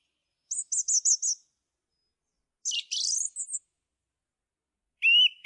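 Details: Song thrush song: four rapid high piping notes in a row, a pause, then a scratchy, buzzy descending phrase, and finally a short whistled note cut off at the end.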